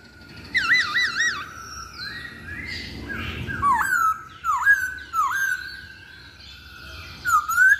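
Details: Masked laughingthrush singing loud whistled phrases: quick wavering, trill-like notes at the start, then slurred whistles that swoop downward, repeated around the middle and again near the end, over a quiet background.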